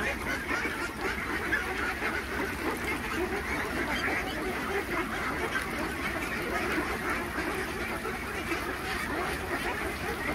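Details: Khaki Campbell ducks, about 3000 on a duck farm, at feeding time: a dense, unbroken chorus of overlapping quacks and chatter that merges into a steady din, with no single call standing out.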